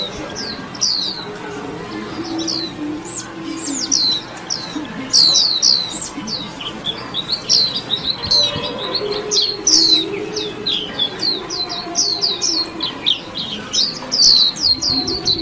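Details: Warbling white-eye singing chirpily: a fast, continuous twitter of high, thin, sliding notes tumbling over one another, with a soft low background murmur throughout.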